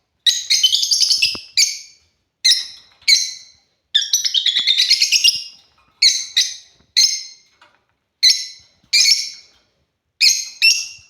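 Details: Pet African lovebirds playing: lively shrill chirping, single and paired notes interrupted by a longer rapid chattering run, continuing throughout.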